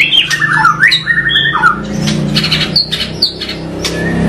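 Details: White-rumped shama (murai batu) song with rough 'variasi kasar' variations: dipping whistled slurs and flat sustained whistles, then scattered sharp clicks and short notes over a noticeable low hum.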